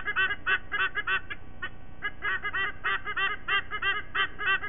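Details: White-bellied sea eagle at its Sydney nest, 5 October 2023, 07:45: a rapid, steady run of loud goose-like honking notes, about three per second, continuing without pause.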